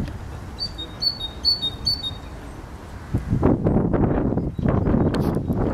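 A great tit sings about four quick two-note 'teacher' phrases, high then slightly lower, before loud rustling and wind-like noise take over.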